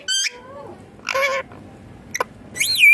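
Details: Ringneck green parrot feeding and talking: high whistled notes, a gliding lower phrase, a raspy burst and a final swooping high whistle, all clear over faint background.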